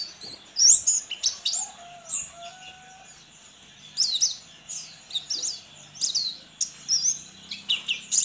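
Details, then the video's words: Contest white-eye from Sambas in West Kalimantan, kept in a cage, singing a fast, high chatter of sharp chirps and downslurred whistles in quick clusters, with brief pauses between bursts. "LOMBA PLECI ONLINE"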